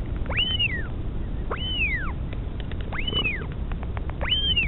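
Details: Mother northern royal albatross feeding a chick, Pukekura/Taiaroa Head near Dunedin, New Zealand, 2016, live camera recording: four bright arching squeals, each rising sharply then sliding down, spaced over a second apart, with faint clicks and wind.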